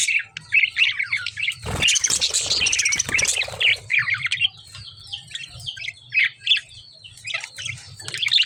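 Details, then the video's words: Lovebirds chirping in a rapid, overlapping stream of high, short downslurred notes, with a loud burst of rustling, scratchy noise midway and a steady low hum underneath. "lovebird chirping sound"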